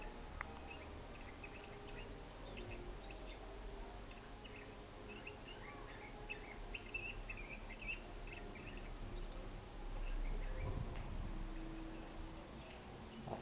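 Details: Near nightfall, a caged Belgian canary (Serinus canaria domestica) in song training, giving its first notes, sings soft, rapid runs of chirping notes, fairly low for a canary, over a steady low hum, with brief rustling near the end.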